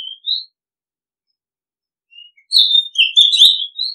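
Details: Oriental magpie-robin giving a few isolated whistled notes, then after a pause a rich, fast tumble of sweet whistles, chirps and short scratchy notes lasting over a second, ending on a rising whistle.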